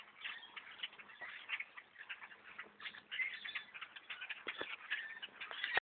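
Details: Thousands of blackbirds overtaking a bow hunter's tree stand, a dense, continuous chorus of harsh squawking and chattering calls overlapping throughout, with sharp clicks and knocks breaking through.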